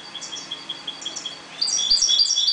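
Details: Caged European goldfinches breeding calmly in a 1.20 m cage: soft high twittering at first, then brighter rapid tinkling notes and liquid trills in the second half, with faint background hiss.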